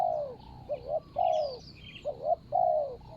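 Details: Ground decoy session for spotted dove, 24/01/65 Thai calendar, luring a target bird with a fine voice; loud, close hollow cooing, a stuttered two-part note followed by a long falling coo, repeated twice, distant twittering behind.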